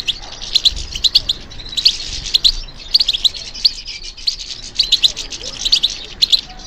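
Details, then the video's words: Goldfinch trained for song competitions singing in answer to stimulation: rich, rapid tinkling twitter in repeated bursts, about 34 a minute, with faint low thumps underneath. "How to encourage the goldfinch to respond to stimulation"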